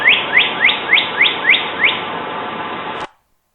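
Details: Northern Cardinal, a Toronto winter bird, giving seven loud, rising whistled slurs, about three per second, over steady hiss; both male and female give this song in counter-singing during territory formation and courtship.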